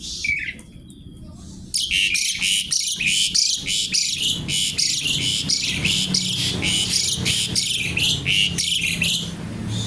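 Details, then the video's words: Javan pied starling in energetic crackling kretekan song: after a brief whistle, a dense nonstop stream of harsh, raspy high bursts follows, about three per second, with a low background rumble. "jalak suren gacor kretekan nggaruda"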